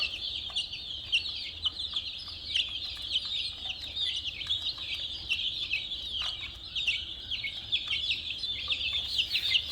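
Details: A crowd of colourful chicks gives rapid, piercing cheeps, individual downslurred notes poking out of a steady high chirping background.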